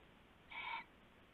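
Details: Single owl call at night, February 19, 2016, during a rabbit prey handover: one short hoarse, harmonic rasp lasting about a third of a second over quiet background hum.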